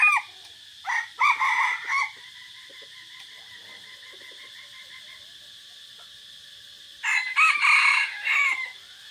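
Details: Red junglefowl decoy roosters on a forest outing, 3 April 2024: a quick, harsh rooster crow, then another about five seconds later, with a steady high insect drone between.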